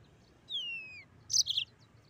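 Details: Short snatch of Mozambique canary 'ngeroll' rolling song: one clear descending whistle followed by a quick burst of sharp, high chirped notes.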